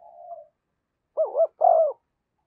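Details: Spotted dove used to lure wild doves gives a soft drawn-out coo, then two loud arched coos in quick succession.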